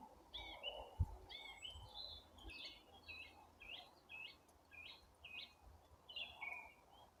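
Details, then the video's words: Birds warming up their songs in April: a run of short chirped and trilled phrases, each slightly falling, repeated about every half second, with a low rumble of background noise. "Апрель: птицы потихоньку распеваются"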